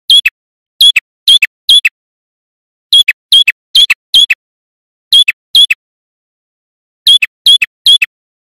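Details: A male red-headed prinia (Prenjak Kepala Merah) gives sharp, high, clipped notes in quick bursts of two to four, separated by short pauses, used as a lure to draw wild prinias into answering. Nothing else is heard.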